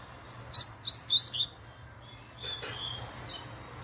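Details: Fast laranjeira-style song of a double-collared seedeater: four rapid, high, twisting notes in under a second, a pause, then softer sweeping phrases, with a faint low hum beneath.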